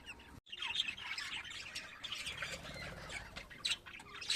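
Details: Pet budgerigars at home: dense, continuous warbling chatter of fast chirps and squeaks, with low rumbling background noise.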